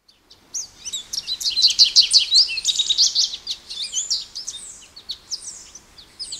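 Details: American goldfinch singing a long, rambling run of high, rapid twitters and sweet whistled notes, with bright slurred phrases and short buzzy bursts tumbling together almost without pause against a quiet background.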